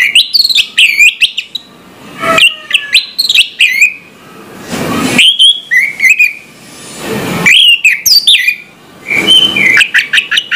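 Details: Orange-headed thrush singing in the morning: rich varied whistled phrases with quick chattering notes and slurred rising and falling whistles, separated by short pauses with a soft rushing background.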